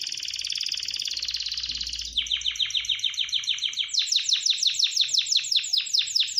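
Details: Canary singing a rapid buzzy trill, then switching to a series of sharply falling chipped notes repeated about four times a second, the final run pitched slightly higher and louder.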